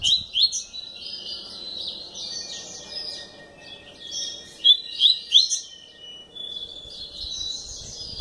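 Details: Double-collared seedeater in captivity delivering warbled whistled phrases, a tight cluster of sharp rising notes midway, then softer buzzy twitters, over a faint steady hum.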